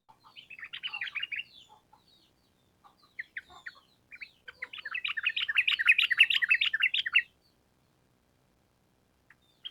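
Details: Sooty-headed bulbul giving vigorous 'gacor' song of the long rapid 'ropel panjang' style. An opening bubbly phrase and scattered single notes lead into a steady, rapidly repeated run of rolling notes lasting about three seconds.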